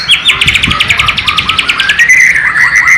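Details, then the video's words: Song of a white-rumped shama from Borneo with learned flycatcher (sikatan londo) phrases, East Kalimantan, recorded on a low-resolution camera: a rapid staccato trill of bright notes that gives way to a level whistle and short chirps. "MURAI BATU BORNEO ISIAN " SIKATAN LONDO / NIGHTINGALE ""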